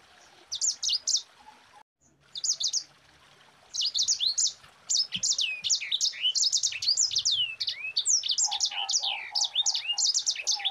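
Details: Rapid 'ngerol rapat' song of a Mozambique canary: high twittering bursts of slurred whistles in clusters, a short gap, then a near-continuous run of looping notes with a soft lower warble late on.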